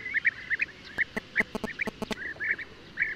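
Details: European bee-eater giving short rolling mid-pitched notes, spaced unevenly, mixed with a series of sharp dry clicks or knocks partway through.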